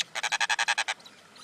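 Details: Common Indian myna producing a quick burst of eight harsh, evenly spaced rasping notes lasting under a second, then quiet.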